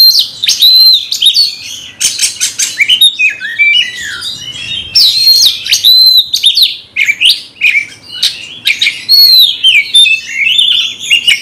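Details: Magpie-robin (kacer) kept as a cage bird, fired up to fight a rival, delivers a loud varied song mixing pure whistles, sharp chirps and rasping buzzy bursts in rapid succession, with brief pauses between phrases.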